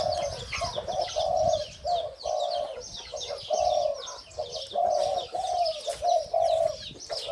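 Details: A caged, captive-bred hybrid-line Spotted Dove crows a steady run of low, mellow coos, roughly one phrase every second, with faint high chirps from other birds behind.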